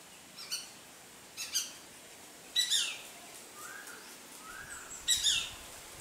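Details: Greater racket-tailed drongo mimicking Shikra, Rose-ringed Parakeet and Treepie calls: four sharp, piercing high notes spaced irregularly, with softer lower slurred whistles between them and a quiet outdoor background.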